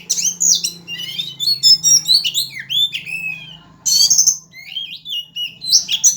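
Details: Singing magpie-robin in fighting style like a sunbird, pouring out a dense, varied stream of rising and falling whistles, chattering trills and sharp notes, with a constant low hum underneath.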